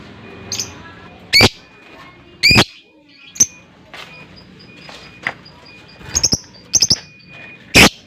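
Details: Lovebird uttering scattered piercing chirps and short twittering doublets at uneven intervals, with a steady high whine and soft background hiss.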